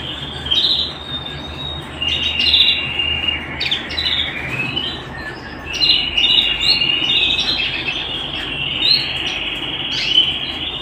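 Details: Pet canary singing at home in long phrases of rapid rolling trills and chirps, alternating with brief quieter pauses, plus sharp up-sweeping notes throughout; low hum underneath.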